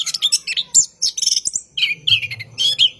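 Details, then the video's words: Orange-headed thrush singing at night, recorded as a lure for training cage birds: long, rolling song of rapid, varied high whistles and chattering trills in quick bursts, with a faint low hum beneath. "PANCINGAN ANIS KEMBANG GACOR MALAM HARI | NGEROL PANJANG COCOK UNTUK PANCINGAN ANIS DIJAMIN BUNYI"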